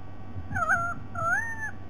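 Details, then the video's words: White-bellied sea eagle calling with two clear, slightly wavering nasal notes, each held about half a second, over a low steady hum. "White bellied Sea Eagle"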